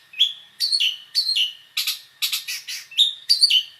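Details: Long-tailed shrike, called cendet locally, giving a varied mixed song: sharp high chirps and short downslurred whistles, scratchy harsh bursts in the middle, about two notes each second, a steady faint high tone behind.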